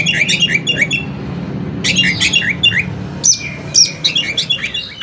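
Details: Kacer, the Oriental magpie-robin, in a 'konslet'-filled song meant to set other magpie-robins singing: dense bursts of scratchy chattering notes, then two piercing high whistles and further rapid twittering, with a low background rumble.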